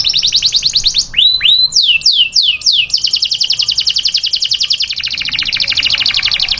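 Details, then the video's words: Canary singing a taghreed song meant for training chicks: a few loud downward-sweeping whistles, then a long fast trill of high, evenly repeated notes that runs to the end. "Taghreed canary to train chicks canario taghreed para entrenar pollitos"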